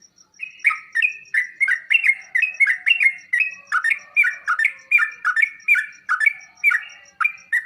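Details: Sooty-headed bulbul song used to set kept bulbuls replying and singing: steady, evenly spaced bouncy warbled phrases, about two a second, over a faint regular high ticking.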